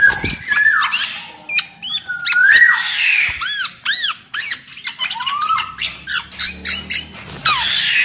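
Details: Kepodang, the black-naped oriole, in lively song meant to prompt other orioles to sing; arched whistled notes and smooth rising slurs mixed with grating harsh calls and quick chips.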